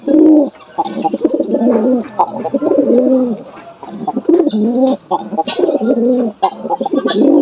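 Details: Jalali pigeons in Bangladesh give low, throaty, rolling coos in repeated bursts, some overlapping. A lone pigeon kept in the dark for 15 days is being paired, and the owner hopes it will call.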